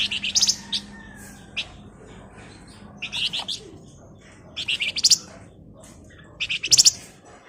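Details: Male flamboyan lure song in short, shrill clusters of buzzy chips, one every second or two, over a faint low hum.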